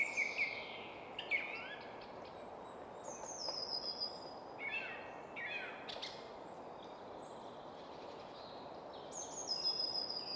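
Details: Song thrush singing atop a spruce in suburban Stockholm woodland, Sweden: varied whistled phrases, some sweeping down steeply, others thin and high, delivered in separate bursts with gaps, over a constant background traffic hum.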